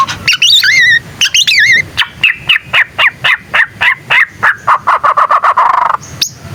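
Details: Young white-rumped shama learning its song, loud enough to make other shamas answer: a second of wavering whistled phrases, then a steady run of about twenty short sharp repeated notes, ending in a buzzy trill and a high squeak.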